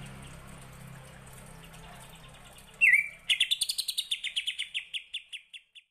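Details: Cucak ijo song with full kapas tembak filling. After a quiet start comes a slurred whistle, then a fast string of bright staccato notes that gradually slows and fades over about two and a half seconds.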